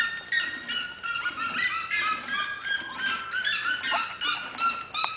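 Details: Red-legged seriema in a house's corral giving loud, nasal yelping notes, rapid and overlapping, about two to three a second, rising and falling in pitch.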